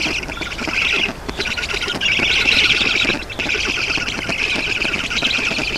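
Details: At an Estonian black stork nest on 7 June 2019, mid-morning water delivery by an adult; rasping, wheezy squawk bursts of one to two seconds, broken by two brief quiet gaps.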